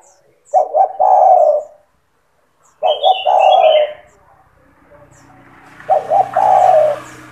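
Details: Singing spotted dove, recorded to train young doves. Three low hoarse coo phrases come in steady succession, each with two quick notes and a drawn-out coo. High whistles come after the second phrase, and a broad hissing noise rises toward the end.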